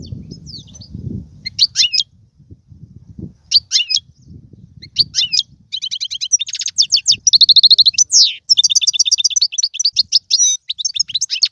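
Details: European goldfinch delivering tiwawati, galoubi and serfati style song. Sparse sharp twitters build into a continuous run of rapid chattering notes and buzzy rattles. A low background rumble fades out early.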